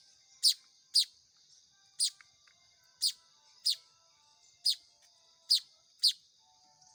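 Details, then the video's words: Hand-fed young Baya weavers give shrill, squeaky chirps in a rapid but slightly irregular series, roughly two per second, each note short and high-pitched against a faint steady hiss. "SUARA ANAKAN BURUNG MAYAR"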